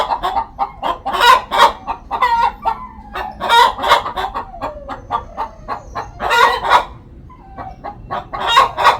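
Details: Poultry-farm hen sounding off before laying an egg: steady, rapid clucking broken every few seconds by loud, raspy, drawn-out squawks, then a short quieter pause.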